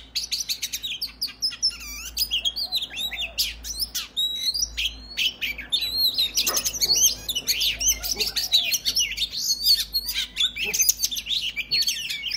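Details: Long burst of Oriental magpie-robin fighting song, used to provoke other males; sharp clicks, chattering and looping whistles pour out in fast succession over a low steady hum.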